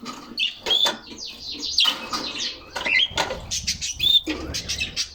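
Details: Bursts of quick high chirps and twittering trills from several canaries playing in their cage on a sunny summer day, broken by sharp clicks and thumps of hopping and wing movement.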